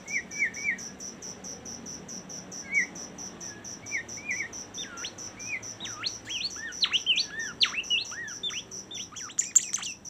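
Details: Bimoli bird singing: short buzzy chirps at first, then a quickening run of varied sweeping whistled notes, rising and falling, over a constant rapid pulsing cricket chorus.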